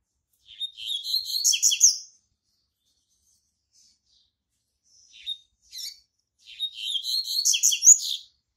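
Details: Caged double-collared seedeater, a male kept as a singing tutor bird in a Brazilian breeder's collection, delivering two dense bursts of rapid, high, buzzy and twittering notes with a short phrase between them, in a quiet room.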